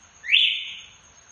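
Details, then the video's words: Red-cowled cardinal kept by breeders, calling loudly in the açoite song style; a single bright whistle sweeps sharply upward, then holds level and tapers off, with a steady thin hiss behind it. "galo de campina gritando"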